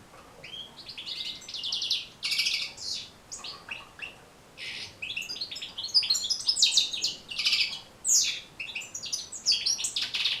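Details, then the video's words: European goldfinch song used to train and encourage goldfinches to sing, with rapid twittering phrases, buzzy notes and liquid trills, high-pitched and continuous, in bursts separated by short pauses. "بتبتة جد مهمة لتحفيظ و تحفيز طيور الحسون على التغريذ"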